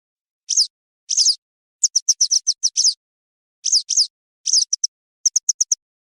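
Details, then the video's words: Western yellow wagtail calls, presented as the best sound for hunting the bird. High, thin notes come in short bursts: quick evenly spaced clipped chips alternate with slurred, downward-sweeping 'tsweep' notes, with brief silences between bursts. "ام رطيز - ام صفيد الصفراء - Western Yellow Wagtail call"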